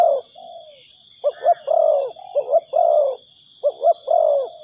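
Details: Spotted dove cooing, a recording used as a lure for trapping doves: soft low hooted phrases, each two short notes and then a longer drawn-out coo, repeated about every 1.2 seconds over a steady high insect drone.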